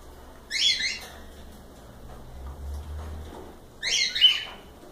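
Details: Two loud, rasping cockatiel squawks, each a short burst of rough chirps, separated by about three seconds of near quiet with faint low rumble.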